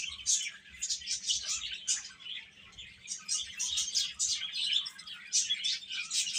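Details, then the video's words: Steady high chirping from a group of chicks: rapid, overlapping peeps with a rhythmic pulse of louder bursts roughly every half second. "Cute Chicks Chirping Sounds"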